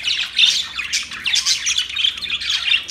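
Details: Budgerigars talking among themselves: steady, rapid high warbling and chirping in pulses roughly every half second, with occasional downward-sliding notes.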